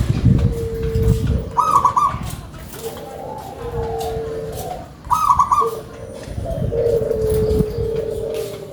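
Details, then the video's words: A big-voiced local zebra dove gives low drawn-out coos with higher trilled bursts twice. A low rumbling background is heard at the start and end. "PERKUTUT LOKAL SUARA BESAR"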